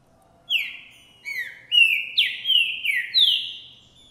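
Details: Green-winged saltator of the 'boi' type, recorded January 2024, singing vigorously and showing male display after seeing a female; loud phrase of about seven clear whistled notes, slurred and mostly level or falling, delivered in quick succession over a quiet background.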